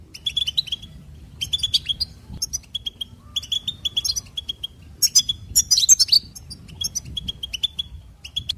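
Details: Singing goldfinch delivers groups of sharp, evenly paced chirps separated by short gaps, with a busier, buzzy twitter around five to six seconds; quiet, low background.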